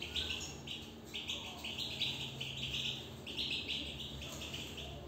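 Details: Caged European goldfinch warbling softly: a steady run of short high chirps repeated in quick, even series over a faint background hum.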